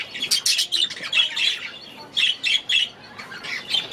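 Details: Caged budgies in their aviary give bursts of sharp, buzzy chirps and short squawks. The bursts come in quick, uneven pulses separated by brief, quieter pauses.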